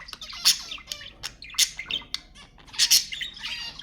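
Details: Budgerigar squawks for stimulating budgies: loud, harsh noisy squawks at about half a second, one and a half seconds and near three seconds, with softer warbling chatter between.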